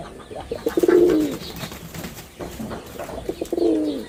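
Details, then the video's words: A male red-bordered wild pigeon gives two rolling coos, each starting with clipped pulses and ending in a drawn-out, falling, guttural note, with soft chirping nearby. "লাল বডার বুনো কবুতরের অসাধারণ ডাক || Pigeon Sound Effect || Male Pigeon Super Performance"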